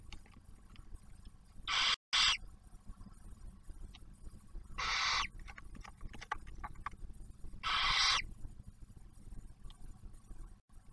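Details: Barn owl nest near Oak Harbor, Ohio, with the male bringing food and the female feeding a newly hatched owlet: three breathy, rasping screeches spaced about three seconds apart amid soft scratching and a low hum.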